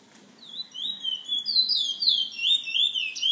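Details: Bullfinch, a caged bird from a San Fernando bird lovers association, sings a flowing chain of bright whistled slurs that rise and fall rapidly, starting softly and swelling, with faint low background hum.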